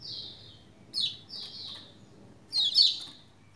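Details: A Lombok white-eye in full song, used to stimulate other Lombok white-eyes into singing, gives high, thin twittering phrases that slide downward. There are four quick bursts in under four seconds over a faint low hum.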